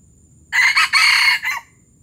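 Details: Gerabas-style crow of a Palembang junglefowl: a loud, raspy, four-part phrase. Two quick opening bursts lead into a sustained noisy section and a short closing note, all within about a second, against a quiet background.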